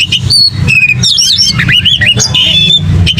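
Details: Oriental magpie-robin in aggressive fighting song, full of varied whistled phrases, sharp rising and falling notes and quick trills at high pitch, over a steady low rumbling background.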